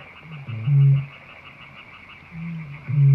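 A Eurasian bittern gives two deep, hollow, foghorn-like booms about two seconds apart, very low in pitch, over a faint steady high hum.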